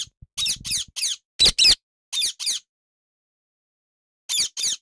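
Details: Indian ringneck parakeet chirping happily, possibly one of a pair: quick series of shrill, scratchy chirps in close pairs and triplets, a long quiet gap, then two final chirps.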